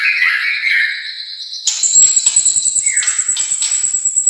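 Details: White-rumped shama from Indonesia, albino or blorok colour mutant: a rich whistled phrase, then a sustained thin high tone over a fast, regular ticking pulse with a short descending whistle.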